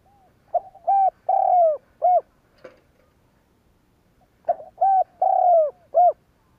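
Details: Spotted dove calling to provoke other doves to coo: two clear phrases about four seconds apart, each a short coo, a longer coo, a long falling coo and a closing short coo, with a faint click between.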